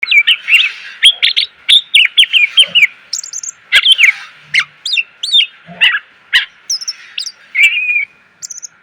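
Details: Greater green leafbird training song for cage birds, full of varied fill-in phrases: rapid clear whistled notes, sharp upslurs and downslurs and chattering trills delivered in quick succession, over a faint steady background hum.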